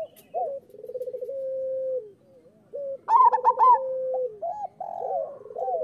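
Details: Zebra doves of a local strain in full song, a training recording for doves slow to sing: soft hoots and a rattling purr, then one loud stuttering trilled phrase over layered coos, followed by short rising notes.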